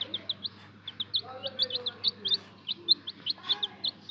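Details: Several colourful young chicks kept in care peep constantly, short high bright cheeps coming in quick irregular runs of two or three, roughly every half second, over a faint low hum and some soft lower murmuring.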